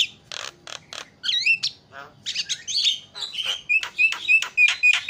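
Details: Lure sound of a Javan myna to provoke other birds' calls: three harsh buzzy bursts, then a tumble of twisting whistles and clipped chirps, closing in a run of short high whistled notes.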